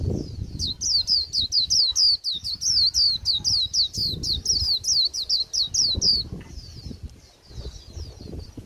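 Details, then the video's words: End-of-season Japanese white-eye giving a flat, unremarkable 'líu' song: a steady fast string of sharp, high downward-sweeping notes, about four per second, for six seconds, then quieter faint notes; low rumbling noise beneath. "Khuyên bổi cuối vụ líu nhạt nhẽo"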